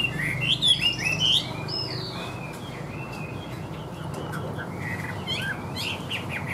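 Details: Chinese hwamei kept in a cage, singing: a loud opening cluster of bright whistled notes, then softer, scattered twittering phrases over a constant low hum.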